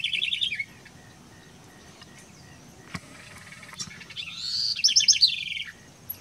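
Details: The tail of one phrase opens the recording. After a quiet gap, the house wren (Troglodytes aedon) gives a full, rising, bubbly song of rapid high trills that builds in loudness and then drops off.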